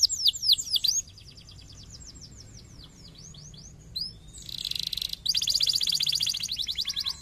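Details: Canary song meant to stimulate other canaries to sing: rapid repeated high sweeping notes in fast trills, shifting between phrases, with a buzzy dense stretch and steady low background hum.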